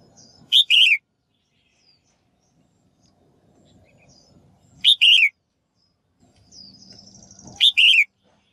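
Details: Female bird calling to get males singing actively: three evenly loud double chirps about three seconds apart, each a brief note and a longer harsh slurred note, with low background rumble and a faint high whistle.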